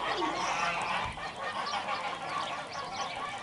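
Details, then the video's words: Geese on a village goose farm in Lök village, central Yozgat, Turkey, honking together: a dense, continuous chorus of harsh, nasal honks from several birds overlapping throughout, with no clear pauses. "DOĞAL KAZ SESİ"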